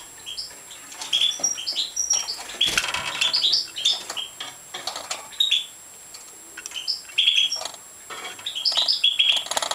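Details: Feeding-time calls of a Major European goldfinch, with clusters of high, tinny chirps and squeaks repeating in bursts, quiet gaps between them, and a rustling knock early on.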